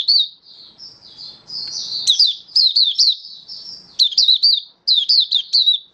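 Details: Malaysian oriental white-eye (mata puteh), a hobby bird in slightly reduced form, recorded 27 February 2023, singing in happy buka style: bursts of high, sharp chirped notes and quick downslurred twitters, with softer warbling between bursts.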